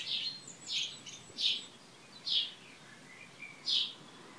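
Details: Evenly spaced sharp high chirps, about five in four seconds, from a bird at Šilo on Krk island, Croatia, on the morning of 3 June 2015, with faint softer notes between them.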